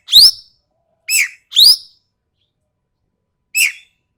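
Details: Harsh, sharp calls of a Sumatran ekek keling: four loud grating notes in quick succession, alternating rising and drooping shapes, then a pause and a single drooping rasp. No background noise.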